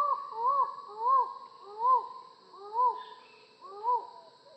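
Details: Six rounded, arching hoots from a collared forest falcon, each swelling and fading, evenly repeated about every 0.8 seconds in a quiet setting.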